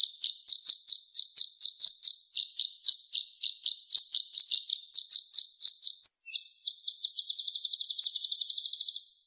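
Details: Sunbird song used as a training recording to spur songbirds into singing: a steady series of high, sharp chirps about three per second, then after a short pause a rapid buzzy trill of fine high notes.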